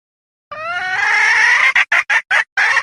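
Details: Hen call used to lure birds: a long, drawn-out, nasal, harmonic note rising slightly in pitch, followed by four short, loud, clipped bursts at a steady rhythm, on a clean background.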